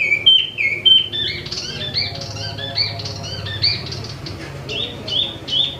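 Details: Captive imported Wambi mini, or Tieu Mi, in full song: clear downward-sliding whistles open, then a busy run of chattering chirps and looping notes, with a soft low hum beneath.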